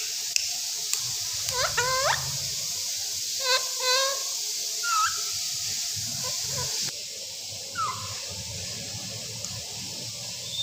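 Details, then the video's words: Talking Raw parrot in captivity gives clusters of rapid, stacked speech-like syllables near two and four seconds, then a lone downward-slurred note. Low rumbling handling noise and hiss fill the background. "Raw Parrots 🦜 is speaking بولنے والا را طوطا"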